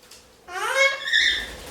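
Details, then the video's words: Male pet Indian ringneck parakeet making silly noises before nap time: a single drawn-out, whiny harmonic note that rises, wavers and slides down over about a second, with faint background hum. "Indian Ringneck Parakeet Makes Silly Noises Before Nap Time"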